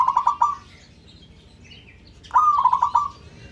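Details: Local zebra dove calling to make other birds answer: a fast burst of four clipped, bouncing coos, a pause with faint high chirps from another bird, then a longer rolling series of rapid coos.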